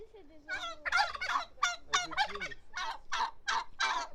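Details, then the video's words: Rattling turkey gobble, about a dozen coarse pulses in steady succession over a faint lower whining tone. "Turkey Sound"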